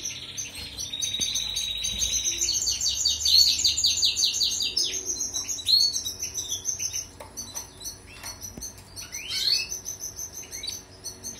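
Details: European goldfinch song for training canaries, with a fast pulsed trill at the start, then high twittering notes, sharp upward slurs and chattering bursts, with light background hiss.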